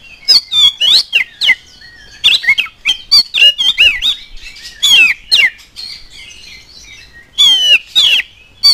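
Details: Vigorous oriental magpie-robin song intended to spur other magpie-robins into singing: rapid chains of piercing whistles, twisting slurred notes and scratchy squawks with short gaps.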